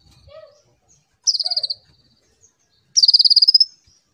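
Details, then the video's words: Chatty konin used as a lure to train young kolibri ninja birds: two high rapid trills of evenly spaced notes, the second longer and rising slightly, after a few softer lower chirps; otherwise quiet. "Pancingan konin rajin cerewet"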